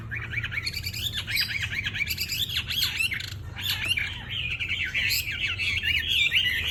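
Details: Red-billed blue magpie singing energetically: a loud, busy run of varied whistled and chattering notes, rising and falling sweeps tumbling over one another almost without pause, with faint low hum beneath.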